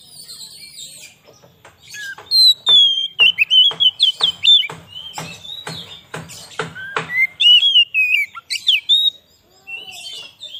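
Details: White-rumped shama song for luring wild shamas in the forest and stirring up caged ones: a run of loud whistled, warbling phrases mixed with sharp clicking notes, then quieter scattered chirps.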